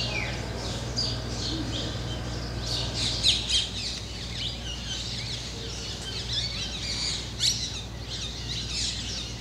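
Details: Black drongos, a pair, using temple spires in Rajasthan as perches to hunt insects on the wing; a dense run of sharp chirps and harsh squawks, loudest around the middle, over constant low hum.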